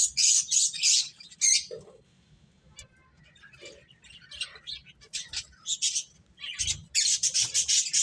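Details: Finches at play give loud bursts of high chirps, then a quieter stretch of soft scattered notes, before dense twittering resumes near the end.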